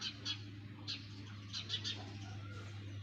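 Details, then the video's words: Nestling sparrows give short, sharp, high chirps, singly and in quick groups of three, with a steady low droning hum in the background. "Sparrows baby in nest! | Sparrows Sound Effect"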